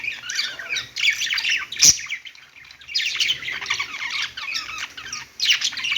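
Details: Budgies on a perch chatter in rapid, buzzy, squawking warbles, with one sharp click near two seconds and short pauses between phrases.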